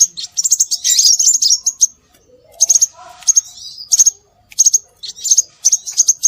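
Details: Scarlet minivet lure calls: a dense chattering burst of high notes, a short pause, then crisp high paired whistles repeated about every half second.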